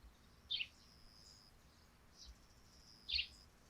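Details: Two clear sparrow chirps, well separated, ring out from a dewy thatched roof in the morning, with a faint note between and a quiet background.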